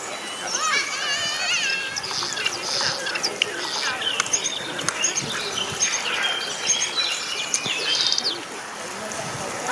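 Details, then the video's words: An ornamental starling chatters without a break, mixing squeaky whistles, rapid clicks and twangy, swooping notes in a busy, jumbled stream. "SOUND OF A ORNAMENTAL STARLING 🔊 What does a ornamental starling sound"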